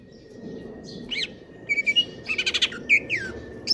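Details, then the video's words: Greater green leafbird, kept in stable condition, singing a 'konslet kejer nembak' song: a rapid stuttering trill of short notes and a few slurred whistles over a steady background hum. "cucak ijo konslet kejer nembak"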